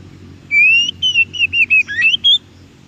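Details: Oriental magpie-robin singing in the wild, recorded to stimulate caged birds: a clean phrase of about eight sweet whistled notes, mostly level or gently rising, ending on a higher note, against a quiet background.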